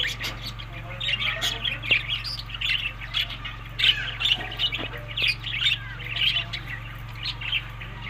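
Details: Budgerigars while eating in summer, May to June, Larkana, Sindh: rapid squawky chirps and warbled chatter in short repeated bursts, with a steady low mechanical hum.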